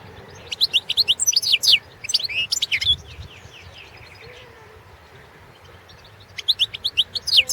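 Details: Competition song of a Carduelis carduelis balcanica goldfinch, 2017 world championship: energetic runs of high, tinkling and slurred chirps, a pause with faint descending notes, then a fresh fast twittering phrase.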